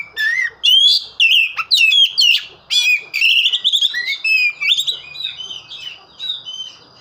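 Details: Actively singing oriental magpie-robin pouring out a dense, varied run of loud whistles, slurred rising and falling notes and crisp chirps, almost without pause, fading to softer scratchy phrases near the end.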